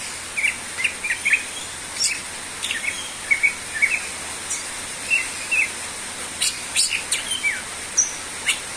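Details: Greater green leafbird singing actively: scattered short, sharp chirps and whistled slurs spread across the clip, some rising and some falling, over a steady high hiss.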